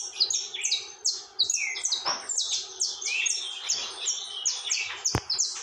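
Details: Saffron finch sings the tormento style nonstop: crowded, overlapping high chips and descending slurs in fast succession, with a sharp click late in the sequence.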